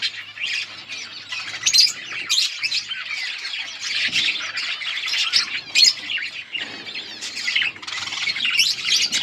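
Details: Budgerigars chirp and squawk continuously, a thick layer of high warbling chatter with scattered sharp tweets and a faint low hum early on.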